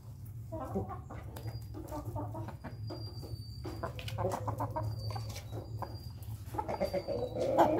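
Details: Afternoon crowing from roosters of laughing chicken, pelung and bangkok breeds; scattered clucks and rustling lead into a loud harmonic crow near the end, with faint music and steady low hum behind.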